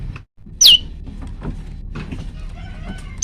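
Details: A male moss prinia (prenjak lumut), recorded at night giving varied song, gives one loud, sharp, high whistled note that slurs steeply downward, with a second note just starting at the end and only faint background noise between them.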